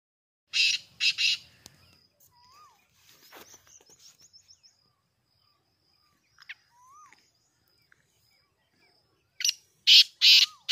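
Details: Black francolin (titar) calling, dated 5 7 2023: two harsh, grating broadband bursts near the start and three more at the end, separated by quiet stretches with faint thin chirps and short whistled notes from other birds.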